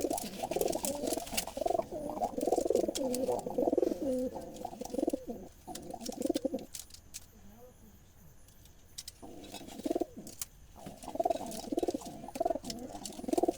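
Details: Several Jalali wild rock pigeons kept in a basket in Bangladesh, birds that forage in the fields, coo together in low, throaty, rolling phrases that overlap and repeat.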